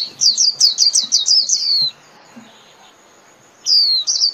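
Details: White-eye singing to call its flock: a quick run of about eight high, thin, downslurred whistles lasting under two seconds, a pause, then two more sliding notes near the end.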